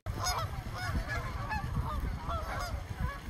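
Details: Many honks from a frightened flock of more than a hundred swans in a small park, loud and overlapping, bent trumpet-like notes following one another closely, with low thumping rumble beneath.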